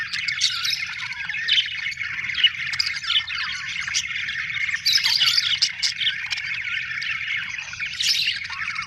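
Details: Happy budgerigars, described as Australian birds, in lively constant chirping: overlapping warbles, rapid twitters and occasional high squeals, louder bursts around the middle, over a soft low hum.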